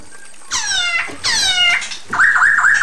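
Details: Female Chinese hwamei calling the male: two loud, rich, harmonic nasal calls lasting about half a second each, followed by a quick series of short wavering whistled notes.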